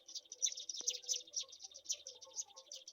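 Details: Black-shouldered kite chicks beg as a mouse is brought to them, a dense continuous chatter of rapid high twittering notes, with one sharp click near the start and a faint low hum beneath.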